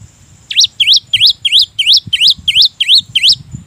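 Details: Cinereous tit song used as a lure to prompt quiet or reluctant birds to sing; a fast run of nine clear, sharply rising whistled notes, about three per second, loud and even.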